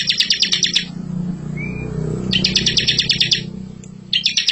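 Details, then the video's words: Bar-winged prinia training song: three rapid rattling trills with a faint whistle between the first two, set against a strong low rumbling background hum. "masteran ciblek super gacor full isian ngerol cocok buat pancing ciblek muda"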